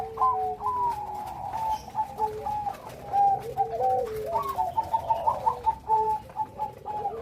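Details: Bangkok perkutut zebra dove delivering its full-rhythm song with a big voice: rolling, warbled coos with quick upward flicks and a lower descending note underneath, phrases rising and breaking into bursts of rapid notes.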